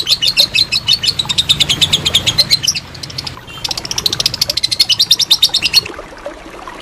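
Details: A lovebird's ngekek, a long trill used as training material for contest birds: rapid high chatter for about three seconds, a brief softer pause, then another fast run of pulsed notes before it stops.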